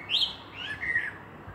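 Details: Common blackbird singing in Meschede on 18 May 2021: one brief warbled, fluting phrase that starts higher and slides down through mellow notes, over a soft, steady background hiss.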